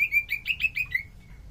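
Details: Common iora, locally called sirtu cipoh, singing as lure sound for other birds: a run of about seven short clear whistled notes at even pace, slightly wavering, fading at the end; quiet background.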